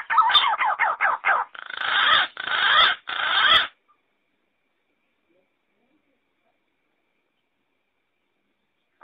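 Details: Green pigeon calling sound, clear quality: a quick series of wavering, whistled notes rising and falling, followed by three longer, louder warbling bursts, all within the first four seconds, then silence.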